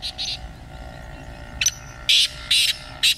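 A francolin gives loud, harsh, grating notes in short bursts, about five in three seconds, over a low steady hum.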